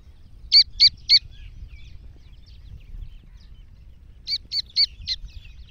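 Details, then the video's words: Iranian black francolin, a female: two bursts of three quick, sharp, high grating notes, closely and evenly spaced, separated by about three seconds of quiet, recorded close. "دخنی ایرانی کالے تیتر کی مادی کی مست اواز"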